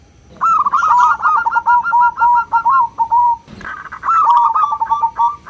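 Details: Local zebra dove with a clear, crystal-like voice, used to call companions: a long, fast run of evenly spaced cooing notes that ends in a falling note, then a brief noise and a second run.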